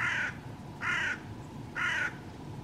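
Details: Wild hooded crow at a forest feeding place with bread, magpies and jays, on a frosty March 2024 morning at -14: a series of three rasping caws, evenly repeated about once per second, over faint background hiss.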